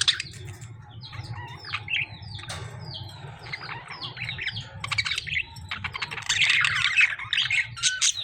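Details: Lovebirds in a fight with budgies, giving short, curved, squeaky chirps and scattered harsh notes, building to a loud, rasping tangle of screeches near the end.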